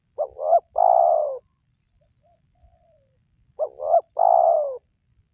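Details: Spotted dove calling, a recording used to lure reluctant wild doves into calling: a quick two-part hooting note, then a long, steady coo that sags at the end. Two phrases about three and a half seconds apart, quiet background.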